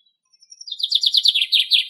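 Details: A common chaffinch (Fringilla coelebs) singing in Greek nature opens with a few thin high notes, then breaks into a fast, bright trill of repeated notes, about ten a second, with no other sounds.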